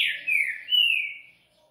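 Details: Breeder-kept coleiro (Double-collared Seedeater) giving a short song fragment: a clear whistled note sliding down, then a second, steadier whistle that fades out.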